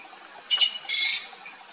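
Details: Two rasping calls from a Sri Lanka blue magpie, a brief harsh chack followed at once by a longer scratchy screech, over a faint steady hiss.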